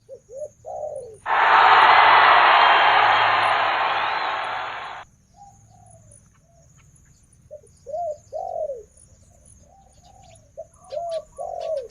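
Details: A female Spotted Dove, a captive decoy breeding hen, gives soft, low coos in short repeated phrases; a loud burst of rustling noise briefly drowns the calls near the start.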